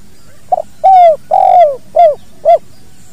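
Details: Spotted dove giving the kuk dua style of call, natural recording used for training other birds: a short soft note, then a run of four mellow, low coos, the longer middle ones slightly falling, with faint background hum.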